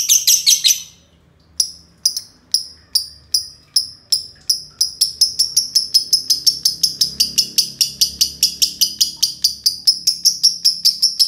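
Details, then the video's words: A brief scratchy burst, a second of silence, then a long ngekek from two green lovebirds. Shrill chattering notes start spaced out and quicken into a continuous, rapid trill. "love bird hijau ngekek panjang"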